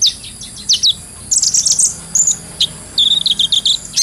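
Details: Captive-style training recording of a brown-throated sunbird: bright, high-pitched chirp groups separated by short pauses, ending in a rapid run of thin, jingling notes.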